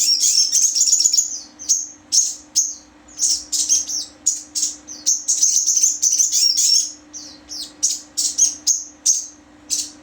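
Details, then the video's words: Sogon singing: a continuous run of very high, thin chirping notes in fast bursts, about two to three per second, with short pauses between phrases and a steady low hum underneath. "sogon bunyi SNI"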